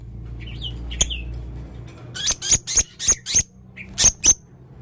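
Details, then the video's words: Male Blue-crowned hanging parrot calling actively with strange sounds: a few soft, high twitters, then a rapid series of shrill, piercing squeaks, about six in quick succession, with a short pause. "burung serindit jantan gacor full suara aneh"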